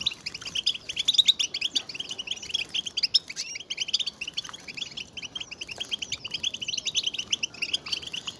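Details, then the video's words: European goldfinches calling together in a lively chorus of mating and readiness calls meant to rouse males into song: long, unbroken high twittering with tinkling trills, voices overlapping, briefly thinning around the middle. "بتبتة جماعية للحسون رهيبة وفتاكة لتحفيز الحسون على التغريد والهيجان"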